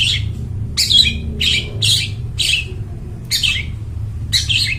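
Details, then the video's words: Vigorously singing long-tailed shrike, a clear ringing voice suited to luring forest birds, giving rasping, high scratchy bursts in an irregular series of about seven notes, with a low background hum. "cendet gacor, suara plong bening cocok buat pikat burung dihutan"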